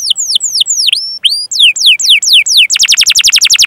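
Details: Canary song meant to spur other canaries to sing: slow, separate whistled notes sweeping downward, then a quick run of sharp descending slurs and a fast, rolling trill.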